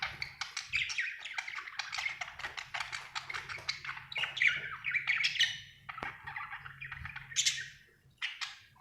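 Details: Happy budgerigar chattering: a continuous fast warble of scratchy chirps, clicks and squeaky notes running without pause, with a brief louder upward squeal near seven and a half seconds and soft low background hum.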